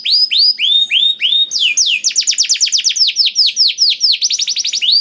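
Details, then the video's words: Canary with learned blackthroat song, played to stimulate singing: slow rich downslurred whistles that speed into a fast, rattling series of high sweeping notes. "KENARI ISIAN BLACKTHROAT #175 || VOICE OF CANARY"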